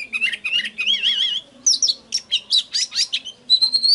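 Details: Oriental magpie-robin song used as a lure to trigger singing: clear whistled phrases, some warbling and wavering, then sharper bright notes and a high sustained whistle near the end, over a faint low hum.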